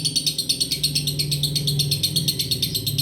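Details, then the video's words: Female lovebird in breeding condition gives a continuous, rapid string of shrill, ticking chirps, evenly paced at roughly eight per second throughout, with a constant low background hum. "Birahi bunyi lovebird betina"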